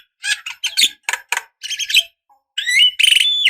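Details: Javan myna female calling a male, used as a lure: clusters of harsh, scratchy chatter followed by a loud buzzy whistled phrase.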